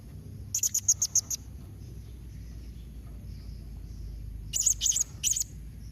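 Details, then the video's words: Calling blue-crowned hanging parrot meant to draw replies: a rapid string of about six high, piercing chirps, a silent gap of three seconds, then four more shrill clipped notes, with faint low rumble underneath. "Kombinasi Suara SERINDIT MEMANGGIL NEMBAK Mbeset Seperti ni Jadikan Srindit Anda Nyaut Tambah GACOR"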